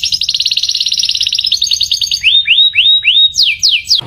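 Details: A canary sings a fast, high, buzzy trill for about two seconds, then several clear whistled notes sweeping up and down, repeated quickly; song for communicating and attracting a mate.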